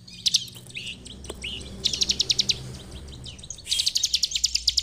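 Bar-winged prinia in full song: bursts of very high, rapid, sharp chips run into fast trills, with brief pauses between bursts. Faint low background hum.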